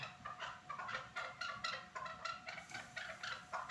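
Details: Chukar partridge calling at Norak: rapid rhythmic series of hoarse chuk-chuk clucks, bursts roughly three to four per second, steady and insistent throughout, with a faint background hum.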